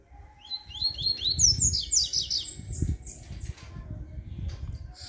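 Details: Double-collared seedeater singing in the bakalu style: a quick run of high, sliding whistled notes lasting about three seconds, over low thumping noise and faint voices.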